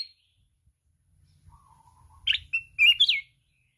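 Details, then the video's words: Wild red-whiskered bulbul, beating its wings continuously while singing intensely, gives a short burst of loud, liquid whistled notes, rising and falling, after a faint low whistle, with light rustling in the background. "Chào mào núi hót cực xung"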